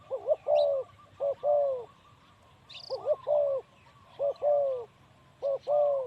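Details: Male spotted dove calling: repeated phrases of two quick hooked coos followed by a longer falling coo, given four times about every one and a half seconds, with faint high chirps and low background noise.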